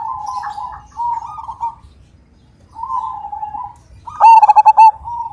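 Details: Majapahit zebra dove with a big voice: softer warbled cooing phrases from other doves, then a loud burst of quick, rich, hollow staccato coos near the end, followed by more soft cooing.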